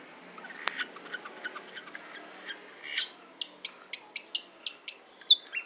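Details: Cendet, or long-tailed shrike, first gives soft, scattered chips, then a clearer series of short, high, evenly spaced notes repeated about twice a second. The sequence ends in one louder, sharper note.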